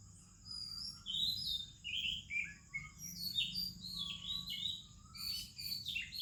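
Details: In the morning in India, an Oriental magpie-robin sings amid other birds: rich, varied whistled phrases, rising and falling slurs and twittering notes in a continuous flowing stream.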